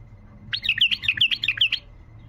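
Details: A wild bulbul delivers a quick tayyariyat phrase, used to stir quiet bulbuls to sing: about a dozen clear, rippling whistled notes in rapid succession, over about 1.3 seconds.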